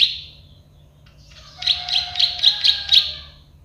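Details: Plain prinia, the prenjak sawah or klik-klik bird, singing for a bird-tutoring recording: one brief note, a pause, then six sharp buzzy clicks in quick succession over a thin lower whistle.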